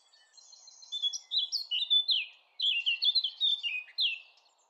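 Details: Blackcap song: after a faint start, two loud bursts of fluty, downward-sliding warbled notes, separated by a brief pause.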